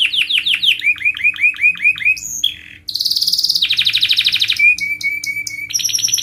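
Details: Canary training song for young canaries, a long rolling performance: repeated descending chirps, then quick upward-sweeping notes, a high whistle, and dense buzzy trills at different pitches, with a faint low hum underneath.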